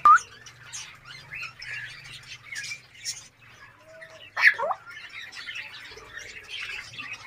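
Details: Captive African grey parrot in a breeding setup in Darbhanga, Bihar, kept with macaws, conures, cockatoos and budgies; scattered whistled notes, short upward squeaks and one loud sharp squawk midway, over soft chattering from other birds.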